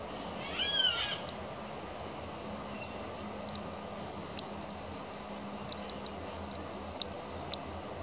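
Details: A yellow-tailed black cockatoo in a backyard gum tree, recorded 200517, gives one drawn-out, wailing harmonic call near the start, then a faint brief note, over a steady low hum and scattered clicks.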